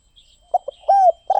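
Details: Spotted dove cooing up close: two short soft notes, then a long smooth descending coo, and the start of another hollow note. Faint higher chirps in the background.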